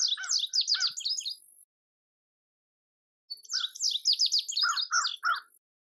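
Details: Two bright songs from an indigo bunting a few seconds apart, each a rapid string of high slurred notes. Lower chirps are mixed in, and faint buzzy ticks sound above.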